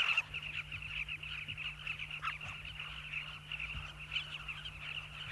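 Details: A dense chorus of many migrant southern carmine bee-eaters at a nesting colony in riverbanks in South Luangwa National Park, Zambia, giving rolling, throaty calls at once, a continuous overlapping chatter with a low steady hum beneath.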